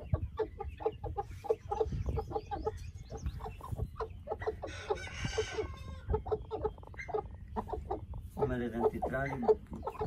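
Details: Two white Aseel heera hens brood together in a handmade wheat nest, hatching golden buff eggs naturally without an incubator. Rapid, irregular low clucks repeat throughout, with a noisy rustling burst midway and louder harmonic calls near the end.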